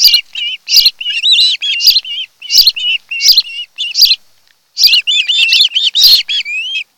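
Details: Nesting ospreys, a mated pair on Kent Island, Maryland, recorded by camera on a July 2018 afternoon: high whistled notes with rising, slurred squeals, a brief lull midway, then a fresh excited series.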